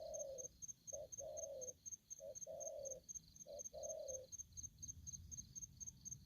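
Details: Aggressive young wild-caught spotted dove cooing at low volume: a short soft note then a longer one, paired and repeated about once a second, over a faint steady high-pitched electronic beeping.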